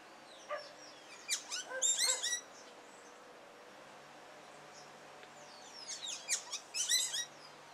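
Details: Carib grackle male courting his mate, singing two bursts several seconds apart, each a run of sharp crackling high notes and down-slurred squeaks, separated by quiet with a low steady hum underneath.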